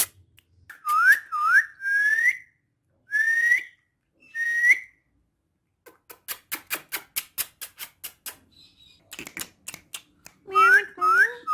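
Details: Female ringneck parrot kept as a pet that speaks Urdu and Hindi: rising whistled notes repeated in a quick run, then a burst of dry clicking chatter, ending with more upswept whistles.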